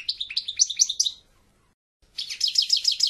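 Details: A European goldfinch sings a fast, tinkling twitter. It pauses briefly, then bursts into a dense stream of rapid high, bell-like notes.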